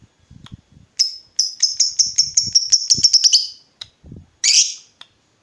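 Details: Lovebird in full voice, used as a lure to make other lovebirds answer: a quick run of sharp, high chirps speeding into a stuttering trill, then one harsh burst, with soft low thumps underneath.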